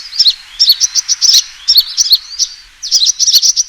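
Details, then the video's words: Sunbird fighting call used as a lure, heard as quick clusters of piercing high tweets and short downward-slurred notes in uneven groups, with a short gap before a final burst. "suara pikat burung kolibri tarung"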